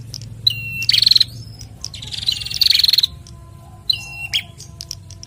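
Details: Male and female bar-winged prinia answering each other in a pair: sharp high whistled notes each followed by a rapid ticking trill, exchanged in bursts about every one to two seconds, with a faint low hum underneath.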